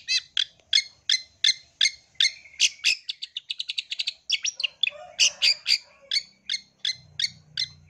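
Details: Female long-tailed shrike calling to the male. Harsh, sharp chattering notes are repeated steadily about three times per second. A faster burst of notes comes midway, and faint low sounds appear near the end.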